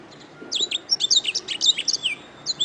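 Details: Canary song used as a master recording for training birds: quick bursts of high, bright chirps and short buzzy trills, tightly packed, with a few sweeping whistled notes near the end.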